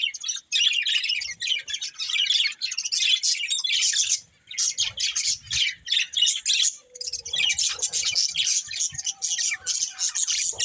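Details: Several budgies chirping: dense, continuous high warbling and twittering chatter with brief gaps near the half-second and four-second marks, then faint low knocks beneath.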